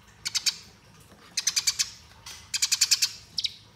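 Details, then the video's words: Fighting-style chirps of a Eurasian tree sparrow used as master: three separate quick bursts of four to six sharp, high notes, spaced about a second apart, with a lone chip near the end. "Masteran Gereja Tarung Ngeroll Abis"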